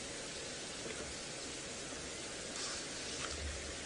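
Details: Even hiss like light rain or rustling on an early sunrise drive, with no animal calls.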